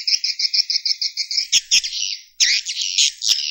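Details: Swiftlet roosting call: a fast, even trill of high twittering notes, about eight per second, then rougher buzzy chirps after a brief pause.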